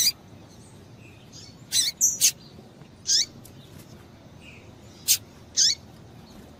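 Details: Female double-collared seedeater calling to excite males: short, sharp high chirps, some with a downward-sweeping tail. They come singly or in quick pairs, about six in under seven seconds, over a quiet background.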